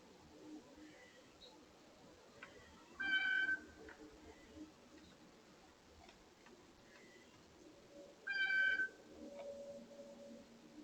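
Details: At a bird feeder, a blue jay gives two harsh, ringing nasal calls roughly five seconds apart, among the screams and squeaky gate calls described, with faint softer notes and background hiss between.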